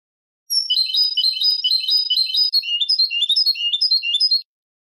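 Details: Clean Malaga-style European goldfinch song, meant as a tutor for young birds: a sustained, rapid trill of bright, jingling high notes, shifting midway into a bouncier twittered run, about four seconds long.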